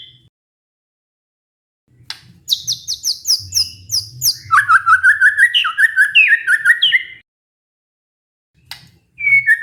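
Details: White-rumped shama lure song for a stressed bird that went silent: after a pause, high buzzy notes repeated quickly, then a fast climbing sequence of whistled notes, silence, and a final high note.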